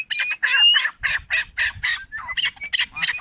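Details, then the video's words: Chukar partridge, four years old, recorded in Tajikistan in 2021: loud, rapid, rasping chuck-chuck bursts in a steady series, with a thin whistled tone running through and a slight low hum. "Partridge Keklik Sesi"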